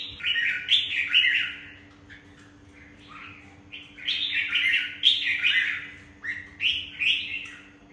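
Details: Caged, wild-caught adult red-whiskered bulbul from Vietnam. It sings lively chattering, warbled phrases in two-second bursts separated by short pauses, over a steady low electrical hum.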